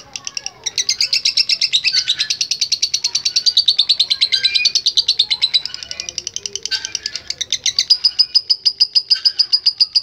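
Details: A lovebird sings its long 'ngekek' chatter as a training recording for other birds: a fast, high, rattling trill after a brief pause, slightly slowing and dipping midway, then resuming sharper and steadier toward the end.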